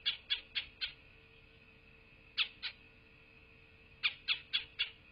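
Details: Bald eagle calling at its wild nest in southwest Florida, captured by a nest camera at 12:47 on 8 November 2023. Rapid runs of high, piping chirps in bursts of two to five notes, separated by short silences.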